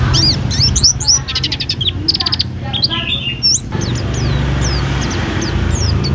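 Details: Pleci white-eye from a food stall sings twittering high chirps, then fast buzzy trills, then spaced upslurred whistles. Background hum and voices are present.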